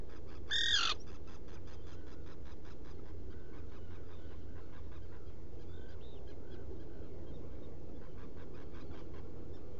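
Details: A Black guillemot in its nesting burrow on Seal Island NWR, Maine, at night (30 June 2018, about 2 a.m.), gives one sharp, high, harmonic squeal near the start, then fainter thin peeps, over a steady low rumble.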